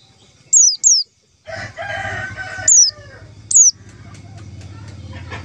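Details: White-eye calling as a lure for trapping: a clipped pair of high falling whistles, then two more single downslurred notes. Loud, buzzy, harmonic background calls from other birds and a low rumble run beneath.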